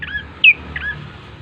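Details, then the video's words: Bar-winged prinia song for luring birds into singing: a few brief, bright chirped notes with downward sweeps, one louder note in the middle, over a low steady hum. "pancingan prenjak coki GACOR❗ agar cepat bunyi"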